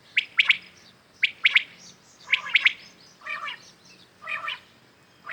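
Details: Common quail calls in the morning, real birds recorded for hunting: three crisp three-note whistled phrases in quick succession, then softer nasal, buzzy notes roughly a second apart.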